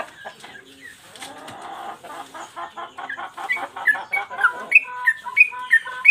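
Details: Yellow-vented bulbul in song for training caged birds: soft muddled chatter at first, then loud whistled notes in regular high-low pairs grow stronger toward the end.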